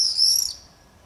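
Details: A single shrill, buzzy scream from a common swift during screaming-party activity in a street in Beek-Ubbergen, Netherlands, on 22 July 2012, where pairs nest on a house; very high-pitched, about half a second, then quiet.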